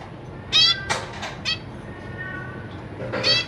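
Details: Zebra finch family kept in a cage, two parents feeding three juveniles and three newborn babies; five short, bright, nasal calls in a loose series, the first and last loudest, against a soft background hum.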